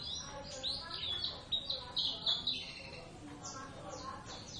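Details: Javan Oriental white-eyes rehearsing a duet in lively 'ngeriwik' chatter: bright high chirps and short trilled phrases in rapid bursts, with human voices faintly underneath.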